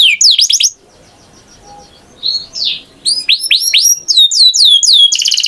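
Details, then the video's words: A canary gives a short burst of sharp, high chirps, falls quiet for over a second, then resumes with swooping whistled notes and ends in a fast, rich trill. "Canary Singing Beautifully"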